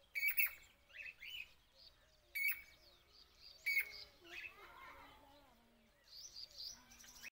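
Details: A Jacobin cuckoo gives three loud, sharp notes about one and a half seconds apart, over busy chattering and twittering from other birds.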